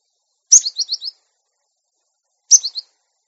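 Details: Cinereous tit, a newly caught cage bird, training recording to make it sing readily and tame: two bursts of high, sharp chirps, the first of four descending notes and the second shorter, two seconds apart, otherwise silence.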